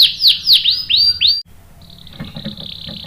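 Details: Canary singing, with a female used to tempt the male: five loud curved whistled notes in quick succession, then a pause and a quieter, thin high chatter.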